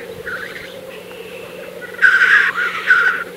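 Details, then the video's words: Black grouse at an April 2024 lek, with a low bubbling drone at first, then two loud rasping hissing calls close together near the end. "Tedremäng. Aprill 2024"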